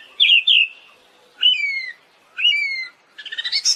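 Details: Siberian thrush giving a few loud, slurred whistles that dip in pitch, spaced about a second apart, ending in a quick rising chattering flourish; recorded as a tutor track for kept birds.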